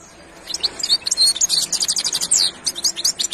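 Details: Goldfinch pouring out a continuous, rapid jumble of high chirps, twitters and buzzy trills that fill the whole stretch without pause.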